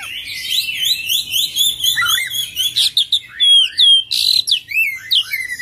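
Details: Oriental magpie-robin in full-voiced rolling song packed with mimicked phrases: fast strings of high whistled notes, repeated upslurs, sharp clicks and loud downswept whistles, continuous and energetic throughout.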